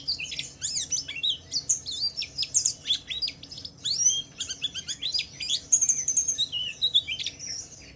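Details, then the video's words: Lively 'ngalas' song of a Pleci Wiklus Wiksar white-eye, meant to prompt other white-eyes to answer; dense, fast high-pitched warbling of short sweeping notes and sharp chirps, nearly continuous throughout. "Suara burung Pleci Wiklus Wiksar memancing Pleci lain cepat cepat bunyi gacor"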